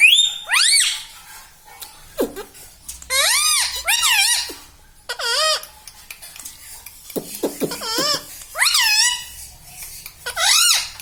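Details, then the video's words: Pet parrot indoors, said to talk and say mummy, papa and radhe radhe; a series of loud, harmonic, arching squawky utterances with short pauses between, in a small quiet room. "parrot talking everything"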